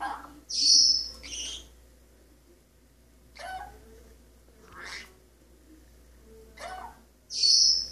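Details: Male pet Maximilian's pionus parrot on a kitchen faucet, practising scales and singing snippets of known songs: loud piercing high whistles at the start and end, with softer sliding whistled notes between them, spaced about 1.5 seconds apart.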